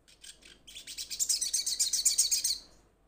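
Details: Calling to its companions, a young sunbird gives a rapid series of high, sharp notes. The notes start soft, then swell into a loud, evenly pulsed chatter of about a dozen notes before stopping.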